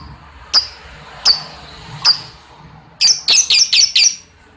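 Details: Lovebird calling to spur other lovebirds into long ngekek chattering: three single sharp, high chirps about a second apart, then a quick burst of five squeaky, rasping notes near the end.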